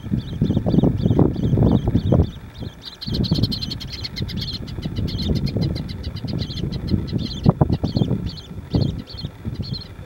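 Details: A juvenile little tern begging toward a parent bird gives rapid, high, thin chirps in quick runs, several per second, over heavy low wind rumble.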